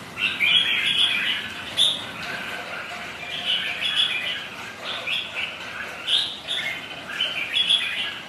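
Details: Red-whiskered bulbuls sparring on a rainy, windy day: bursts of scratchy, warbled chirps come in irregular clusters over constant heavy hiss of rain.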